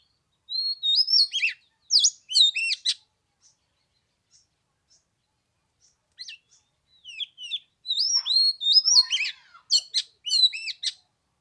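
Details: Oriental magpie-robin on the third day of Lunar New Year in the cold, singing whistled rising phrases with clicks, falling nearly silent for several seconds, then resuming with varied looping whistles.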